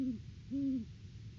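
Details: Great horned owl pair at their nest tree in the off-season, December 3 2022, duetting: a deep, soft, level hoot cut short at the start, then a fuller one half a second later, over a quiet low hum.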